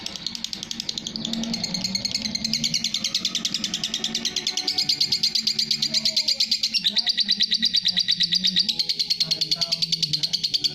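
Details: Lovebird ngekek chatter building into a long rapid trill of piercing high notes, growing louder after the first second and continuing steadily.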